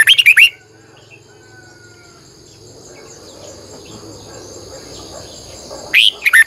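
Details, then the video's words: Red-whiskered bulbul lure bird singing in the morning, long double-twisting style for calling wild birds: a short warbled phrase at the start and another at the end, with a long gap of faint insect-like hum between. "Luyện chào mào hót sáng 2020, Giọng kép xoắn dài hót căng, Chào mào mồi gọi bổi hót hay"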